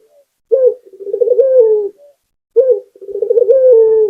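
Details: Local spotted dove (puter) cooing, offered as a lure sound. Two phrases, each a sharp opening note followed by a rolling, slightly tremulous coo that slides gently downward, separated by about half a second of silence.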